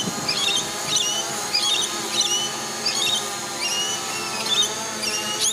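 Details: Several lorikeets, annoyed by a drone flying close, hold their ground and give loud, shrill, screechy chirps, overlapping at about one or two per second, over the drone's steady droning whine.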